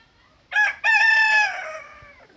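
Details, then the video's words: Rooster crowing in the morning: a short, loud opening syllable, a brief break, then a long, rich, harmonic note held steady before it fades and drops away, against a quiet background. "Morning Rooster Crow"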